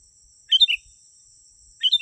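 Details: Sooty-headed bulbul lure sound for attracting wild birds: two short bubbly phrases, each of three quick liquid notes falling slightly in pitch, about 1.3 seconds apart. A faint constant high hum runs behind them.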